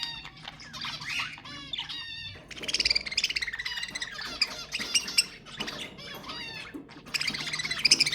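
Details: Budgerigar chatter used to stimulate breeding: softer warbling at first, then dense bursts of fast chirps and squawks in uneven waves, with bright piercing notes near the end.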